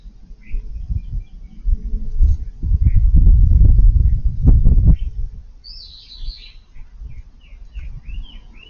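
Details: Eurasian tree sparrows sand bathing in a garden flowerbed on a hot August 5th; loud scuffling thumps of dust bathing dominate early, then short high chirps and twittering notes follow in quick succession.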